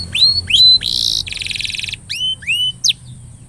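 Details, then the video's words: Canary singing a lure song used to coax a quiet canary into singing: upward-curving whistled slurs, a bright ringing note, a dense buzzy rattle, then more rising slurs and a sharp clipped note. "Kenari gacor...!!! paling jitu memancing kenari macet jadi lebih rajin bunyi ( pancingan kenari)"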